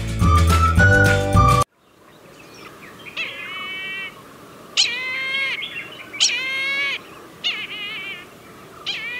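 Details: Brahminy kite in Sri Lanka, a bird of coasts and inland wetlands, gives drawn-out, wheezy mewing cries with a wavering, slightly falling pitch, about five over seven seconds, after a brief burst of music.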